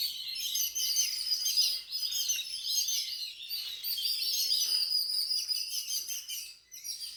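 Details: At home, a crowd of birds keeps up a steady high twittering, many quick chirps running together with no clear pauses.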